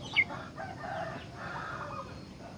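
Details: Sooty-headed bulbul in full song, used as a tutor and lure for other bulbuls; a sharp high note opens a run of throaty, bubbling phrases of middle pitch, with faint hiss behind.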